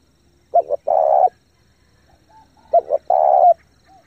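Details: Spotted dove lure bird cooing strongly and fast to draw in wild doves: two short clipped notes then a long steady coo, the phrase given twice about two seconds apart, with faint soft whistles between.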